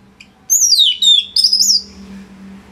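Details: Orange-headed thrush giving a brief loud phrase: a high whistled note sweeping down, then two rising and falling whistles, lasting just over a second. A faint low hum is heard beneath. Dense song meant for tutoring other songbirds.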